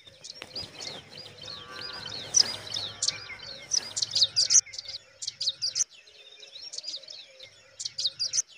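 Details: Pipit nestlings in the nest give a busy chorus of thin, high, overlapping chirps in rapid bursts, over a faint steady low hum.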